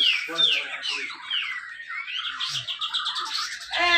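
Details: Competition black-crested bulbul from Malinau, North Kalimantan, singing a tight, continuous song used as a prompt for silent bulbuls; sweeping whistled slurs rising and falling, then a rapid run of short chattering notes.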